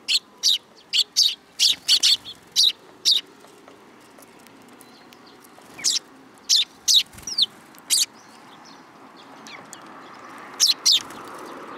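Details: Sparrow youngsters landing on a hand at a Tenmangu shrine in Japan, 2 July 2022: a fast string of eight or so sharp chirps, a quiet spell, then more scattered calls, with a faint hum rising toward the end.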